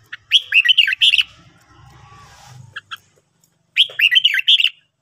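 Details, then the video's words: Red-whiskered bulbul morning song for training birds: a rapid, bubbly run of fluty whistled notes, a soft low murmur and a few clicks, then another fast warbled phrase. "luyện chào mào hót buổi sáng"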